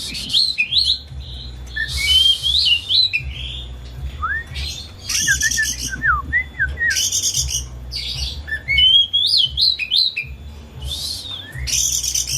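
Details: Caged pet Oriental magpie-robin with tail spread, singing as a lure for a bird that stays quiet: varied whistles and slurred notes mixed with harsh scratchy bursts, all over a low steady hum.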